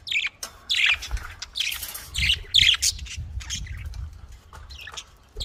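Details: Budgerigar squawks and chatter: harsh, scratchy, high bursts in quick succession with short gaps, a little softer toward the end, over faint low noise.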